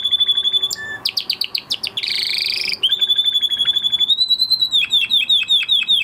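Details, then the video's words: Canary after its moulting period, a male trying out his song: long steady whistled tone, quick chips, a harsh buzzy burst, then the whistled note again breaking into repeated warbled pulses. "Canary Trying To Unlock His Full Singing Potential Part 2 - Canary Singing Video"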